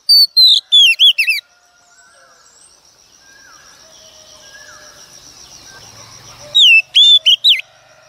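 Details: Wild-caught female Oriental magpie-robin singing to excite males: a short loud run of sweeping whistles, several seconds of low background noise, then another phrase of falling slurred notes.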